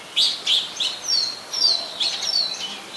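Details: Brief Oriental magpie-robin phrase from Ubon Ratchathani, Thailand, 24 December 2020, on a Nikon P1000: a few loud, punchy chirps, then high thin downslurred whistles and more chirps.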